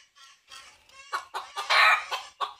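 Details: Red junglefowl looking for a female gives soft opening notes, then strong clucks leading into a short, harsh, strained crow before a final cluck.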